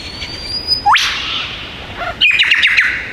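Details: Male Superb Lyrebird perched on a log in the Dandenong Ranges east of Melbourne, singing mimicry of many bird species: a sharp rising whistle sweep, then a burst of four quick descending whistled notes.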